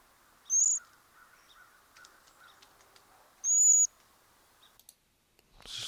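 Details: Cedar Waxwing calls: two thin, very high, hissing single-note calls, each held a fraction of a second about three seconds apart, over a faint background murmur.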